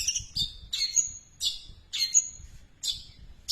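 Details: Long-tailed shrike imitating house sparrow chirps: sharp, high chirps and short squawky notes, some with a thin drawn-out whistle, in clusters about every half second, quiet low hum behind.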